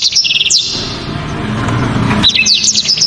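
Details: Loud, sharp black-throated canary song: a quick burst of high whistles and chips, a pause with a low rumbling background, then another rapid twittering phrase.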